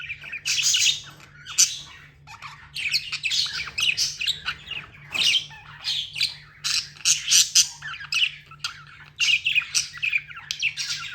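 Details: Several pet budgerigars squawk almost nonstop in harsh, noisy bursts, a busy overlapping chorus of rasping chirps with scarcely a pause, over a constant low hum.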